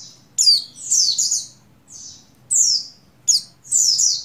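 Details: A breeding female Oriental white-eye of the buxtoni form calls a male with bright high chirps that slur downward, some run together in pairs, separated by short silences.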